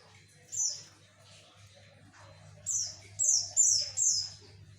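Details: High, downward-sweeping chirps from a Javan white-eye singing to lure males: one lone note, a pause, then four rapid notes in a row, with a soft background hum.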